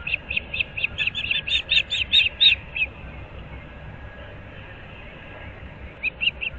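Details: Osprey pair at their nest in Moorings Park, Naples, Florida, early morning in mid-April: a burst of sharp, high chirps repeated rapidly for about three seconds, then quiet with low background rumble, and a few more chirps near the end.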